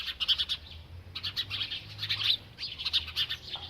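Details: A bird chirps while eating: quick bright high chirps in clustered bursts, several in the first half second, then more bursts after a short pause, over faint low hum.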